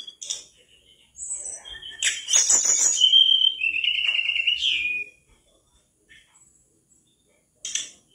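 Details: Vigorously singing mangrove whistler, recorded to train caged birds: a burst of sharp chirps followed by a long run of rich whistled notes and a fluttering warble, then a lone chirp after silence.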